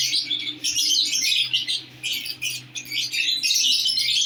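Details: Newly placed pair of lovebirds: continuous shrill, rapid chattering chirps, dense and high-pitched, rising and falling in overlapping bursts over a steady low hum.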